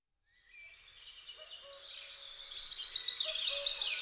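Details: Great spotted woodpecker, a pair caring for their young; a dense, high, buzzy chattering that swells steadily louder through the clip, with a few faint lower whistled notes underneath.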